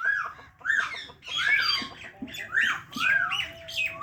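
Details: Parrot calling with arched, whistled chirps rising then falling, repeated about every half second amid rougher squawky notes.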